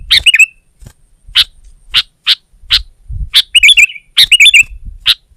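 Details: Sooty-headed bulbul in rival-pressing song. Isolated sharp chip notes are spaced about half a second apart, broken by short liquid, bubbly warbled phrases, with quiet gaps and a low rumble in between.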